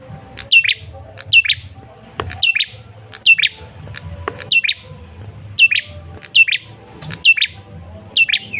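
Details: Male red-headed tailorbird calling to lure a reply: piercing high notes that drop sharply and hook into a brief second note, repeated evenly almost every second, with low rumble underneath.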